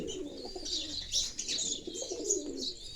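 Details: Pigeons giving low, soft, rolling coos that run under a steady stream of high, busy sparrow chirping throughout.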